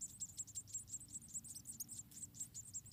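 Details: Nestling white-headed munias, about four in the nest, begging as the mother feeds them: dense, rapid run of high-pitched thin squeaks, roughly three per second and overlapping, over a faint low hum.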